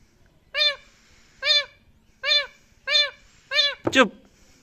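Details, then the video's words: Pet Indian ringneck parrot, angry, copying a cat: five drawn-out nasal meows, each about a second apart, ending in a harsh screech, while a person speaks nearby. "Parrot Copy Cat Voice | Getting Angry"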